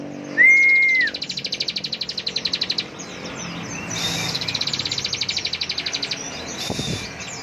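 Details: Bar-winged prinia delivering its full-power 'ngebren' song: a short, clear, arched whistle, then long, rapid, buzzy trills of about four notes per second in several bursts, while a man urges it on.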